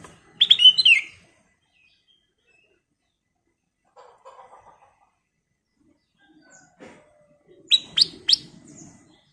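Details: Kutilang emas, the golden-coloured sooty-headed bulbul, singing briskly for a training lure: a warbled phrase of sliding notes, faint low chatter mid-way, then three sharp emphatic notes near the end, with soft knocks in the background.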